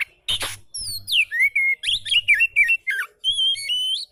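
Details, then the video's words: Oriental magpie-robin song for rousing a bird that is lazy to sing: one harsh burst, then clear whistled notes, falling slurs and wavering phrases in quick succession, closing on a steady high whistle. "KICAU KACER SANTAI COCOK BUAT MASTERAN KACER MALAS BUNYI"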